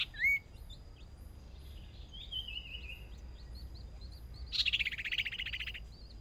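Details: First practice contest for a young decoy Hwamei: one sharp rising whistle, a long slurred warbling phrase sliding downward, then a loud pulsing buzzy rattle, with soft twittering behind.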